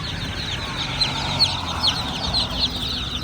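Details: Baby chicks of the domestic chicken chirping softly, high rapid peeps blended together, with a few louder single chirps about every half second over a low hum.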